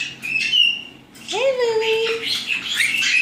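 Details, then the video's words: Nine young white-bellied caiques chatter in an aviary near Dallas, Texas, with a slight echo, as they do every night: a high whistled note, then a rising, wavering call and a burst of busy squeaky calls over a faint hum. "Caique Parrot Noises - Listen to White-bellied Caique Babies"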